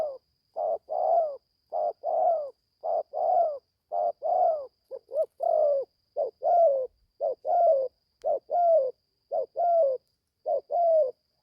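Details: Spotted dove, young and caged, in Gia Lai, Vietnam, on its first outing to train in the forest. It gives a long sequence of about a dozen paired coos at a steady rhythm, with a faint continuous high tone behind them.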